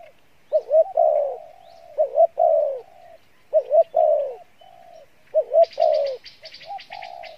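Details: Spotted dove cooing: a short double hiccup note followed by a longer falling coo, repeated four times at about two-second intervals, with a brief burst of faint rattling noise near the end.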